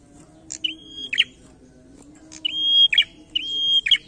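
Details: A lively prinia delivers its challenging 'narung' song three times. Each phrase opens with a brief sharp chip, holds a pure, even, high-pitched whistle, and closes in a scratchy, buzzy tumble. The pauses between phrases vary.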